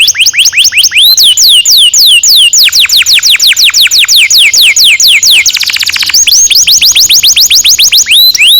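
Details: Canary performing a long roll meant to coax young canaries into singing: bright repeated descending whistles in steady tours, broken midway by a dense rapid buzzy trill, then resuming the falling whistled notes.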